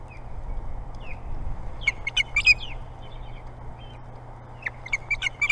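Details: Ospreys contesting a popular nest at the Hog Island Boathouse in Maine: scattered thin whistled chirps, some in quick clusters, over a constant low hum.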